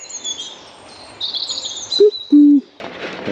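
A single hollow two-note "cuck-oo" from a Common Cuckoo, the second note lower and longer, over faint high birdsong, followed by a burst of noise.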